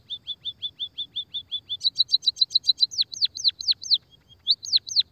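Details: Emprit kaji, a munia, singing a long rolling lure song compared to a canary's. A steady row of short level chirps speeds up into doubled higher notes, then several piercing down-slurred whistles, with a brief faint tone between them.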